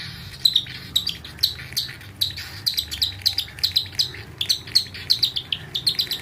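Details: Hand-fed cockatiel chick, sounding happy after being given puree, gives rapid, high, rasping chirps several times a second while begging for food.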